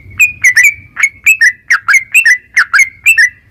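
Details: Caged yellow-vented bulbul singing fast, chattering ropel phrases meant to stimulate other birds to sing; sharp bright notes, some rising, some dropping, in irregular pairs and triplets, with a soft low hum beneath.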